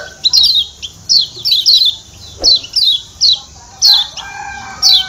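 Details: Lemon-bellied white-eye (kecial kuning) from Lombok calling: quick, high, thin chirping bursts of two or three notes, repeated roughly every half second, with one soft knock.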